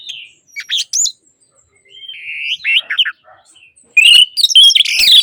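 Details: Orange-headed thrush singing, meant to spur silent birds into song: short scattered whistled phrases with brief pauses, then a loud, rich run of tumbling warbled notes at the end.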